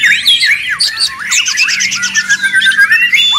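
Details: White-rumped shama singing busily, fast chattering notes repeated about three per second mixed with rising and falling whistles and short trills, overlapping phrases filling the whole moment.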